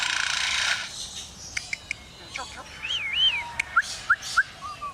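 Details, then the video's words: Captive male Superb Lyrebird at Adelaide Zoo copying construction-site noises learned from nearby building work: an opening noisy burst, then sharp clicks like hammer taps, a wavy whistled phrase and short rising chirps. "Superb Lyrebird imitating construction work"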